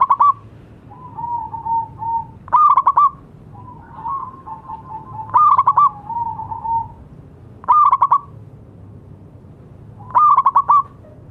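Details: Zebra dove of local stock, singing vigorously as a tutor for silent doves: five phrases of rapid, pulsed coos about every two and a half seconds, with gentle, wavering coos filling the gaps.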